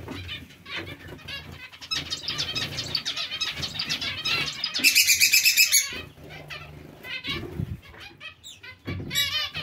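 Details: Zebra finch colony kept with Bengalese finches: a dense chorus of nasal, harmonic chirps and beeping calls overlapping rapidly, with a louder burst of bright calls midway and soft wing flutter and thumps underneath.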